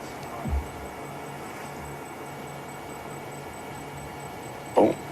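Steady electrical hum fills the recording, with two brief dull thumps and no animal voice.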